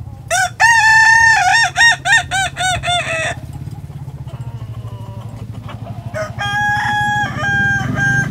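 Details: Loud tiered crow from a Kokok Balenggek rooster, a native singer chicken of West Sumatra kept at a restaurant: about nine rapid stepped syllables in three seconds, a pause of faint noise, then a long steady harmonic closing crow.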